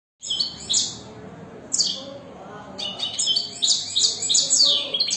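European goldfinch song: bright, tinkling twitters and liquid trills in quick, uneven bursts, high-pitched and continuous over a faint background hum.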